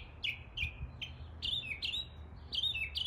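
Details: A northern mockingbird in East Tennessee mimicking area birds gives rapid down-slurred chirps, single then in pairs, sharp and bright, about a dozen in three seconds, against a faint low rumble.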